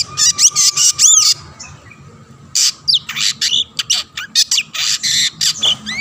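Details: Long-tailed shrike song meant to prompt other shrikes to sing: a burst of harsh rasping notes with rising whistles, a short pause, then more scratchy squawks and chattering phrases.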